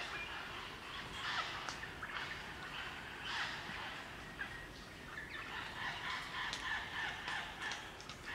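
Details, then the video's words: Group of crimson rosellas chattering in Barrington Tops National Park, New South Wales, Australia; rough, brassy squawks and chatter in uneven bursts, with faint whistles underneath. "Crimson Rosella Calls & Sounds"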